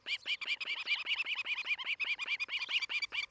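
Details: Osprey at its nest in Charlo, Montana, morning of 11 July 2018, recorded by nest camera: a dense, unbroken stream of piping whistled chirps, about five every second, ringing and slightly down-slurred.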